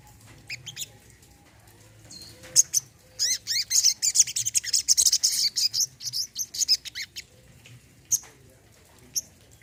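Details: Olive-backed sunbird song, played as therapy for a bird that has gone quiet: scattered thin chirps, then a fast run of high, sharp, rapidly repeated notes lasting several seconds, easing back into isolated tweets.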